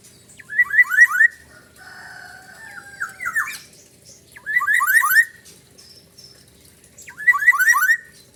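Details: Black-naped oriole song with a mimicked siren: quick bursts of four or five falling, slurred notes, repeated about every three seconds, with a faint whine and soft indoor background between phrases.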